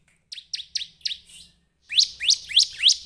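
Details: Bar-winged prinia giving four spaced, sharp downslurred chirps. After a short gap come four louder, fuller chirps at a similar pace.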